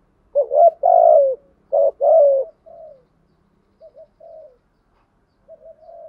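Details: Male and female spotted doves giving a call used to stimulate other doves to call. Four loud, soft-toned coos open the clip, followed by quieter, shorter, trailing notes spaced across the remaining seconds.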